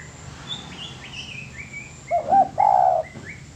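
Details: Spotted dove song used as master training audio: faint thin rising whistles from other birds first, then a loud phrase of two short hollow notes and a long quavering coo near the end.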